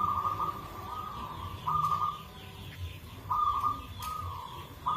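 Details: Local zebra dove with a rare rhythm, giving a lure song. Rolling coo phrases about a second long alternate with short pauses, recorded softly over a hissy background with a low hum.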